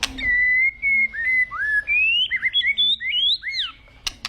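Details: White-rumped shama, agitated, delivering a string of clear, drawn-out whistles that slide up and down, some rising steeply, ending in sharp clicks.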